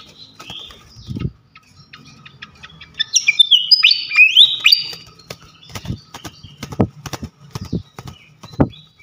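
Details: Champion fantail flycatcher singing loudly, used as training song for other songbirds: sharp high whistled notes and a rapid burst of slurred, rising and falling phrases, with low knocking thumps between.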